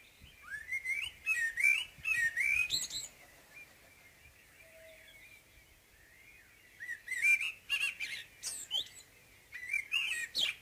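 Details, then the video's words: Common blackbird's morning song in two long phrases, each a flowing chain of warbled, slurred whistles ending in high, scratchy twittering, with a quiet pause between them. "Morgensang - Solsort - Blackbird"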